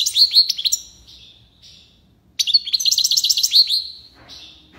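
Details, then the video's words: European goldfinch singing in the style called tiwawati: quick tinkling twitters and bright rising notes, a pause, then a fresh rapid burst of liquid chirps and a buzzy ending. "مقنين(حسون) تيواواطي ليباساد روعة"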